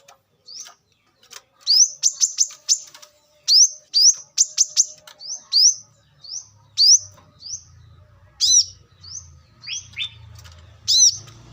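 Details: Brown-throated sunbird in the wild, recorded as a lure: bursts of high sharp chips and rising slurred whistles, notes spacing out later while a low rumbling hum runs underneath.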